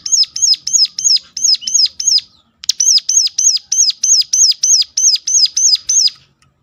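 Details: Sunda warbler with a piercing call, used to lure other Sunda warblers into song: long even run of bright, arched, high whistled notes, roughly three each second, with one short break midway.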